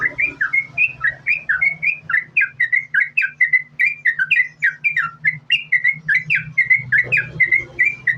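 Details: Yellow-vented bulbul in lively, continuous 'sambung ropel' song, played to lure other bulbuls into singing: bubbly, liquid phrases of short rising and falling whistles about twice a second, with a steady low hum underneath.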